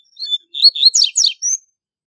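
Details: A single strong, rapid phrase from a double-collared seedeater, a tutoring song for young birds: short whistles rising into a burst of buzzy descending notes, ending on a thin high whistle.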